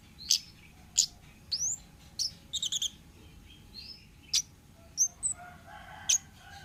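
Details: Orange-headed thrush from the wild, a keepers' lure recording: high sharp notes, rising and falling slurred whistles, and a quick stuttering burst of clicks near the middle.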